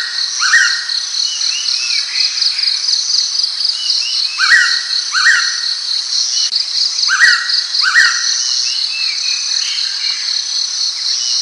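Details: Pitta calling in paired, rising whistles, each pair followed by a pause of roughly two to three seconds, repeated four times over a constant high insect buzz and scattered small bird chirps.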